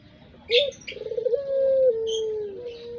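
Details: Lure-bird Barbary dove (puter) of the long pelung voice: a rising grace note, a rapid rolling stutter, then a sustained low coo gently falling and trailing off, with faint chirps from other small birds above.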